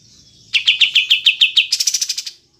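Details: Olive-winged bulbul (kapas tembak), clear recording: about eight sharp, evenly spaced notes, then a quicker run of higher, buzzier notes that ends abruptly.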